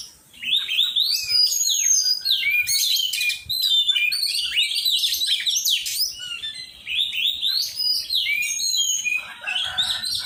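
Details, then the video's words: Oriental magpie-robin being trained to sing, delivering a long, fast, varied song of sweet whistles, slurred upward and downward notes and scratchy bursts, about four notes per second. "cara melatih burung kacer"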